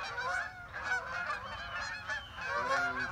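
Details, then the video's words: Morning flock of geese passing overhead beside a pond, giving loud nasal honks in quick bursts, several birds overlapping, with brief dips between volleys. "Another morning with geese overhead"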